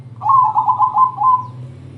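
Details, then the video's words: Rapid trilled coo phrase of a zebra dove, "crossing" song type used to provoke other doves to sing, pulsing quickly then settling into a steady level tone, with low background hum. "perkutut crossing gacor TERCEPAT, memancing BUNYI,semua jenis perkutut terpancing"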